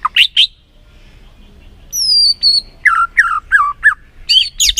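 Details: White-rumped shama lure song meant to rouse a quiet bird into singing: a quick rising chirp pair, a thin high whistle, then a run of short downslurred notes and sharp chirps.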